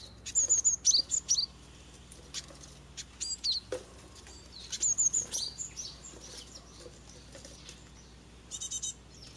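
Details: Japanese tit fledging from a nest box in a garden Ilex rotunda tree, residential area near a mountain village; six chicks leaving, parent pair attending. Clusters of thin, high, sharp chirps in quick bursts, pauses between groups, quiet background.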